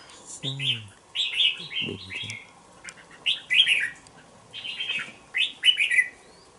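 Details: Red-whiskered bulbul, a two-month-old youngster in a bokeh bổi cage, repeats short bright warbling phrases about every second, some paired, with two brief low squeaky sounds early on.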